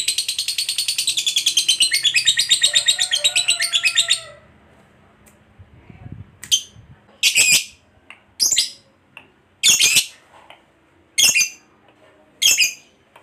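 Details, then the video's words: Lovebird, described as a fighter bird, giving ngekek chatter meant to spur others to sing: four seconds of rapid high trilling, then a pause followed by short separate bursts of chatter roughly every second. "Suara Burung Lovebird DURASI PANJANG, TERBUKTI Paling Cocok Buat Pancingan Labet Agar Cepat Ngekek"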